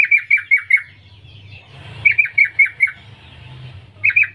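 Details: Calling female yellow-vented bulbul, summoning males: a fast string of four to five clipped chirps, a pause, another run of five, then a third run beginning, with a low steady hum.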